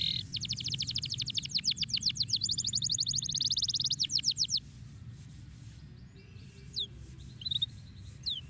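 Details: Canary delivering a long, steady rolling trill of quick repeated high notes for about four seconds, followed by quiet with a few faint distant chirps over low background rumble.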